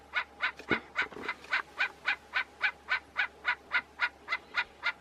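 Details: Eagle calling in a steady series of short harsh yelping notes, about three per second and very evenly spaced, with soft background noise and a brief low thump early on.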